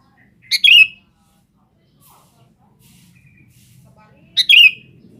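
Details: Sooty-headed bulbul, kutilang, calling out to females: a pair of loud, sharp, falling chirps about four seconds apart, with quiet low murmuring between them.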